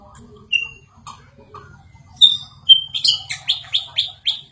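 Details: White-rumped shama growing agitated after hearing a played sound; a few spaced whistles, then a run of loud sharp notes repeated about twice a second, falling slightly each time.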